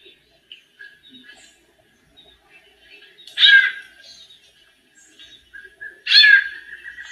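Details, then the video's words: Female white-necked thrush singing like a male, warming up. Two loud, raspy descending notes about three seconds apart. The second trails into a steady buzzy tone, with soft clicks and thin notes between them. "ESQUENTANDO SABIÁ COLEIRA - FÊMEA MACHEANDO"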